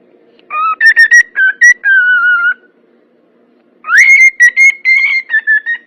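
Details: Cockatiel song: two bursts of bright whistled phrases, the first made of short notes and a falling drawn-out whistle, then a rising whistle leading into repeated steady notes after a pause of about a second.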